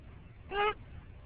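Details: Pet green-winged macaw riding in a car in the morning, talking: one short, clear, harmonic vocal sound over quiet low engine rumble.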